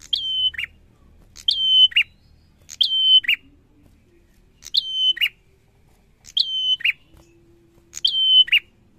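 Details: Bar-winged prinia in lively song: six high phrases, each a sharp start, a steady thin whistle and a dropping buzzy end, given at uneven intervals of about one to two seconds, with a faint low hum.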